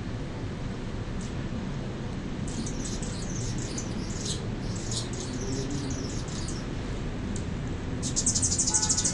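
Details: Mature male Anna's hummingbird that held a feeder deck as its territory for six weeks, singing to announce it: thin, scratchy, very high squeaky bursts in a busy run mid-clip, then a brighter buzzy phrase at the end, over steady low rumble.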